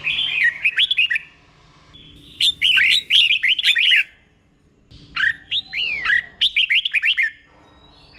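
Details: Doubled song of a caged red-whiskered bulbul, sung slowly and clearly for other bulbuls to learn: four lively bursts of chattering, warbled whistles with sharp upward flicks, each separated by a brief quiet gap.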